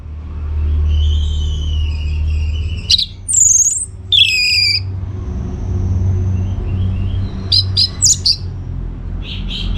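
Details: Orange-headed thrush song in a lively, constantly singing style, played to draw answers from other birds: wavering whistled phrases, then sharp high notes and a short burst of rapid notes near the end, over a steady low hum.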